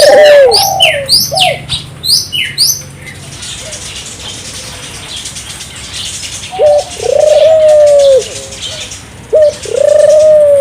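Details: Turtle dove singing vigorously, played to prompt local doves to join in: brief coos at the start among busy high chirping of other birds, then a quieter stretch, then two more phrases of short note plus drawn-out steady coo.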